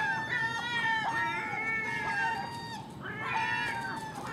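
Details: ['Common gulls feeding on garbage left outside a house in the early morning, alongside a magpie and a crow; drawn-out, mewing, harmonic calls that sag at the end, two long calls close together with another starting near the close.']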